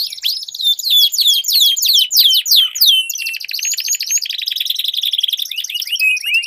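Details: In a duel between canaries, loud falling whistled notes repeat quickly, then give way to a long, dense, even trill of rapid pulses with a rising slur over it.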